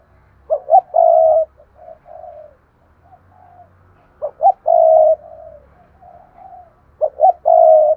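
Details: Spotted dove lure bird calling in urging style: loud phrases of two short hoots and a long burry coo recur roughly every three seconds, with softer murmured coos between.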